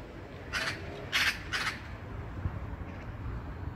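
Black-billed magpie giving three harsh, rasping squawks in quick succession, each about a quarter-second long, over a low background rumble.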